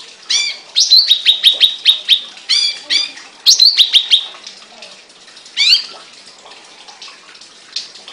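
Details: Caged songbird chattering in quick bursts of harsh rattling notes and short whistled chips, separated by pauses, with light background hiss.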